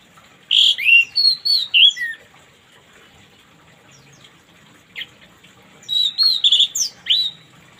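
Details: Orange-headed thrush in morning song, used to stimulate birds that won't sing: a fast string of rich, looping whistles, a pause of about three seconds, then another busy warbled burst with high squeaky accents.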